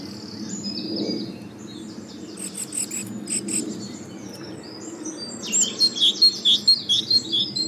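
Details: Great tit near a large nature reserve giving soft high chirps, then a quick run of bright, sharp repeated notes, about three per second, over a low steady rumble.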